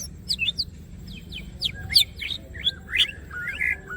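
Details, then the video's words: Greater green leafbird singing vigorously with wings open: high sweeping chirps and rapid slurred notes, roughly one per second, ending in a longer wavering whistle, over faint low background noise. "green cucak birds open wings siip and gacor"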